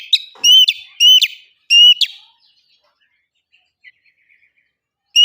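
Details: Oriental magpie-robin song used as a lure to get kacer birds to sing loudly and openly: four loud, harsh, ringing whistled notes in quick succession, then near silence with faint chips before another note starts.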